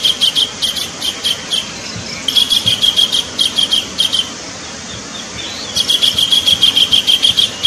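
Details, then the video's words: Calls of a kingfisher meant to attract birds: quick trains of harsh, high repeated notes, a quiet stretch midway, then a fast chattering series again. "pikat burung tengkek suara pancingan"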